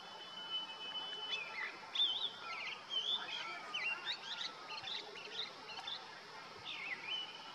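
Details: Male Grey-winged Blackbird on a deodar twig in a summer Himalayan valley of Uttarakhand, giving territorial song: a jumble of melodious warbled and twittering phrases with quick slurred notes, and a drawn-out whistle at the close.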